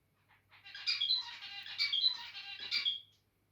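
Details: The larger of a pair of territorial zebra finches sings a rapid, buzzy, scratchy string of harmonic syllables for about two and a half seconds, with brief squeaky peaks and no other sounds.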